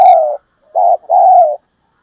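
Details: Spotted dove 'thúc' lure cooing, played to make wild doves respond and come in fast: a long mellow coo fading downward, a pause, then a short coo run straight into a longer, steady, hollow coo.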